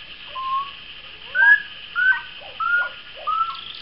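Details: Moustached turca (Pteroptochos megapodius), a pair apparently in courtship: five loud, clear whistled notes, each a short slightly rising slur with a softer lower note beneath, spaced about half a second apart over a steady high hiss.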